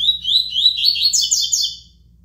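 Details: Double-collared seedeater singing the tui-tui song type: three high, sweet rising whistles, then a quick, bright twittering run, all within under two seconds.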